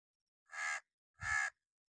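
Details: Sharp, loud warning caws from a crow in an angry mood, two rough, broad-toned calls spaced roughly 0.7 seconds apart, the second accompanied by a faint low thump.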